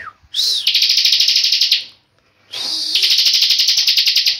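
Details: A tame pet bar-winged prinia sings two long, rapid, high-pitched buzzy trills, each about a second and a half long, separated by a short pause.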